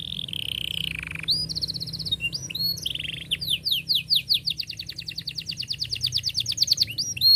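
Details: Canary singing a long, dense rolling song meant to teach young canaries: a steady buzzy trill, then sweeping whistled notes and a fast run of repeated rising chirps, many per second.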